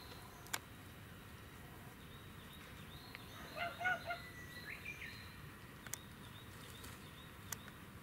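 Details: Domestic duck in the animal enclosure at Hachimanyama Park, Tochigi, Japan, on 30 April 2018, gives a short cluster of nasal, harmonic quacks mid-clip, then a few fainter ones, over steady outdoor background noise and occasional clicks.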